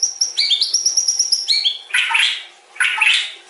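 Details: White-rumped shama, or murai batu, repeating a high note in a quick steady series, followed by two harsh, scratchy bursts.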